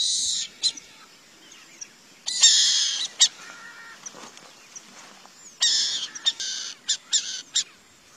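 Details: Harsh, hissy screeching from a burrowing owl: long rasping bursts alternating with clusters of short staccato rasps, irregularly spaced across the clip against a quiet background.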